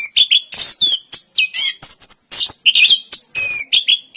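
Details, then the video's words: Orange-headed thrush (anis kembang) from Indonesia in extended song: dense, rapid bursts of high chirps, squeaky trills and whistles, closely packed phrases with scarcely a pause. "Suara Burung Anis Kembang Durasian"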